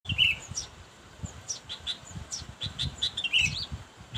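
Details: Sooty-headed bulbul calling a rival, a bird-luring recording: scattered short high chirps with a couple of slurred, downward-bending notes, soft irregular low thumps underneath.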